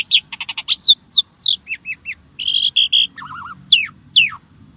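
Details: Starling song, jalak, for coaxing caged birds into song: clicks, arched whistles, harsh buzzy notes, a wavering lower trill and steep descending whistles.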